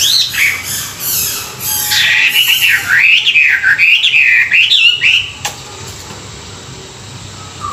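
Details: Morning song-training session of a Chinese hwamei: rich, fluid whistled phrases swooping up and down for about five seconds, then near quiet with a faint low whistle at the end.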